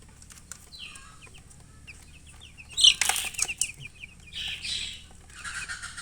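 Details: Chicken chirping: a string of quick high falling peeps, then a sudden loud flutter of wings near the middle, followed by more scattered chirps.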